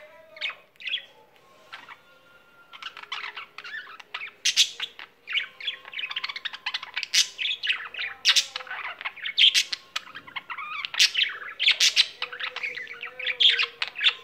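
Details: Pet budgerigar singing at length: a continuous chattering warble of rapid chirps, clicks and squeaky notes, starting quietly and growing denser and louder after a few seconds, with a faint low hum underneath.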